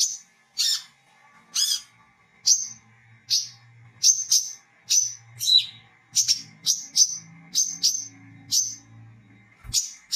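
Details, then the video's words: Olive-backed sunbird on a gacor lure recording, calling in ngriwik and ngecret styles; crisp, high, downslurred tweets repeat roughly every half second to second, steady and insistent, with a low faint hum beneath. "SUARA BURUNG WICEH !!{KOLIBRI KELAPA GACOR} NGRIWIK NGECRET BELAJAR NGEPLONG"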